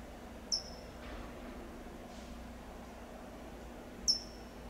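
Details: California Towhee (Melozone crissalis) in Del Monte Forest, California, gives two sharp, high, slightly falling tsip calls about three and a half seconds apart, over a soft low hum.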